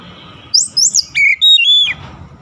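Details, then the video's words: Oriental magpie-robin (kacer) singing in a daily session aimed at a fast, long rolling song: a brief run of four or five bright, clear whistled notes with quick upward and downward slides, each note short and separated by tiny gaps. "KACER CEPAT NGEROLL PANJANG"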